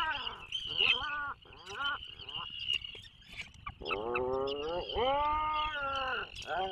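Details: Low nasal groans from an Atlantic puffin in its nesting burrow off Maine during the 2024 breeding season, live camera recording; choppy bursts early, then long sustained moans arching slightly in pitch, with a constant high hiss-like tone behind.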